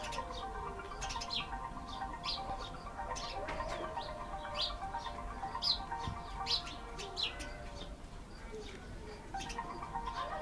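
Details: Cape sparrows, a very domestic bird of Southern African households, in Namibia: a busy stream of short, sharp chirps and twittering notes, irregularly repeated, over a steady low hum and background noise.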